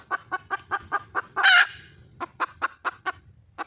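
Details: A wild junglefowl hen calls for a mate with evenly spaced sharp clucks about five per second, interrupted midway by one loud grating squawk, then the clucks continue.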